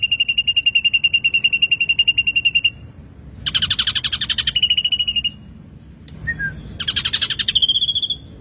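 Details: Energetic gacor singing of an ashy drongo: a run of even, rapid piping notes, then two bursts of harsh buzzy chatter sliding into quick pipes, with a brief soft chirp between them.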